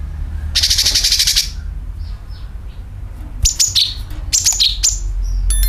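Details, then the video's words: Sooty-headed bulbul calls played as a bird-attracting lure: a dense, buzzy burst of high chirps, then scattered sharp high notes and downslurred whistles, with low background rumble. "CUCAK KINOI ||PANCINGAN PALING AMPUH TERBUKTI PASTI IKU BUNYI SUARA PANGILAN + NYERET"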